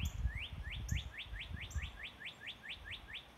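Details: At sunrise a bird repeats quick upslurred whistles in an even run of about a dozen notes, with higher faint notes and low bumping sounds in the background.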